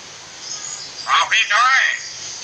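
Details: Common hill myna talking in training audio meant for other birds: a loud, speech-like burst of two short syllables then a longer wavering, voice-like phrase over a steady background hiss.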